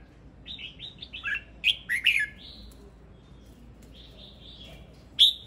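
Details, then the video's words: Male red-whiskered bulbul singing: a run of short whistled notes rising and falling, then louder, sharply slurred chirps in quick bursts, a pause with softer warbling, and a final loud whistled note. Background is quiet. "Tiếng chim chào mào trống hót"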